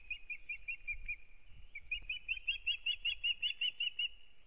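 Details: Osprey at its nest in Kurzeme, Latvia, beginning a new breeding season in April 2022, giving a fast, steady series of about twenty shrill whistled chirps, rising slightly in intensity, with faint low rumble beneath.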